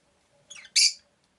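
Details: Rosy-faced lovebird kept at home, a soft scratchy note followed at once by a louder, harsh, broad squawk-like chirp, short and abrupt.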